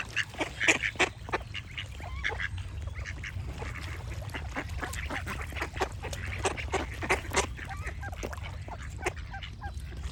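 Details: Repeated rasping duck quacks, several close together near the start, then a continuous scatter of short calls, while songbirds sing behind them.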